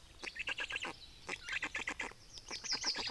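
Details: Black storks in Estonia during feeding, recorded 25 May 2019: staccato runs of scratchy, chattering pulses in short bursts, with a thin high squeak near the end.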